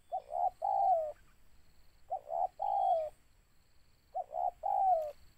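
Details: Spotted dove, a bird used as a trapping lure, giving three repeated coo phrases about two seconds apart: a short soft note, a second coo, then a longer falling coo, with quiet background.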